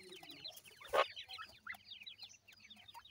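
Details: Several playing grey francolin chicks utter rapid high, descending cheeps in an overlapping chatter, with one loud, rough burst near the start.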